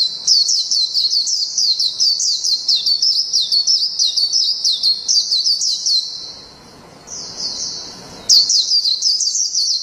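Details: Japanese white-eye singing in the long ngalas panjang style: a high, rapid, continuous twittering warble of quick chirps, broken by a brief softer gap near six seconds before the bright run resumes.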